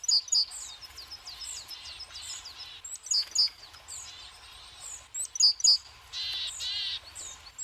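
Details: Lively tits at a seed feeder in a winter forest: bright, ringing paired notes recur about every two and a half seconds among scattered thin tweets, with a brief rasping burst near the end.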